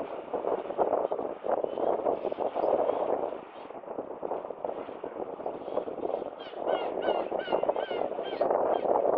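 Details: Black-tailed gulls at the Kano River mouth in Numazu, Japan, on 30 July 2023: a dense, overlapping chorus of many birds giving harsh nasal mewing calls, with a run of stacked, wavering wails toward the end.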